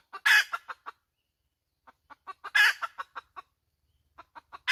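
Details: Hen's repeated cackle: a loud, harsh squawk trailed by clipped clucks, a quiet gap, then accelerating clucks and a second squawk, with a new run beginning at the close.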